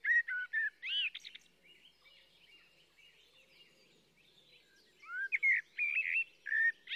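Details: Blackbird singing in two bursts: mellow whistled and warbled notes open the passage, then about three seconds of near quiet with faint background twittering, then another cluster of rich, swooping phrases.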